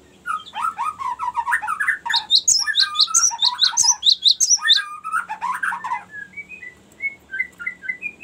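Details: Long rolling 'ngerol' song of a Cinereous tit, used for luring and training birds: rapid varied chirps run low, then climb into quick high sharp notes, ending in spaced lower slurred notes.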